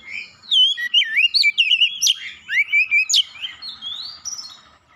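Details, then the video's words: Oriental magpie-robin singing to provoke a rival into song: a rapid run of bright, twisting whistled notes and sharp upward slurs, densely packed for about three seconds, then fading into softer rising whistles. "PANCINGAN KACER CEPAT panas GACOR naik emosi bongkar isian"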